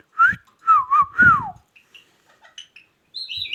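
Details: Rose-ringed parakeet talking: a few quick, voiced, speech-like syllables with gliding tones, followed by quieter scattered chirps and a short run of high, squeaky notes at the end.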